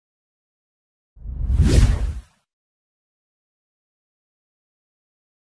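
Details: A single broadband whoosh swells and fades over about one second, surrounded by silence, with no animal voice present.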